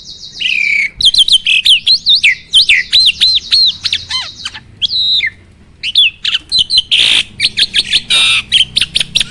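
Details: Training song of a starling, meant to make other birds compete: a fast series of arched, looping whistles and sharp clicks. There is a brief quiet gap mid-phrase, then a burst of harsh buzzy notes and chatter.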